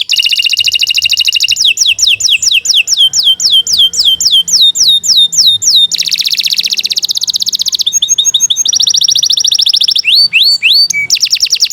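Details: Kenari Nusantara canary giving extended gacor song for masteran training: sweeping downward whistles in steady series, broad rattling trills, a short chattering passage and more swoops, all loud and unbroken.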